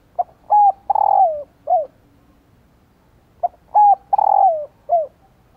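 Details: Cooing female spotted dove, used to excite males into calling. She gives two matching phrases about three seconds apart: a short note, a level hoot, a long swelling coo that drops away, then a clipped falling final note.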